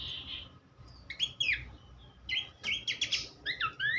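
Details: Horsfield's babbler, a tutor recording for songbirds: an opening burred note, then spaced bright whistled downslurs, a sharp click, and a closing run of repeated notes with upward-sweeping whistles.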